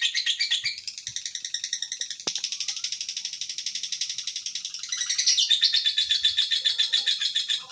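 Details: Lovebird giving a long ngekek trill: dense, high, rapid chattering pulses, about four per second, running continuously with a brief break near two seconds and a louder stretch after five seconds.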